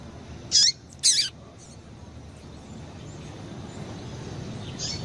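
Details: A female Double-collared Seedeater gives two short, sharp, high chips about half a second apart, then a faint third near the end, over a quiet background hiss; these female calls are used to stimulate males to sing.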